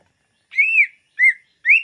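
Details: Greater green leafbird song used to lure birds: three clean whistled notes, the first long and arched, then two shorter slurred whistles about half a second apart, on a silent background.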